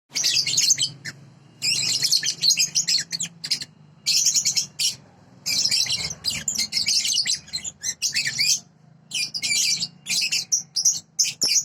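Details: Sooty-headed bulbul tutor recording for training birds, described as a clear, original voice: dense, high-pitched chattering phrases in bursts of about one second, separated by short silences, over a faint steady low hum.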